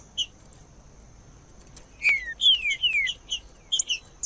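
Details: Green-winged saltator song, offered to warm up a silent bird for breeders who enter singing tournaments: a few short high notes, then clear whistled phrases sliding downward in quick succession, then sharp chirps, over a steady high tone.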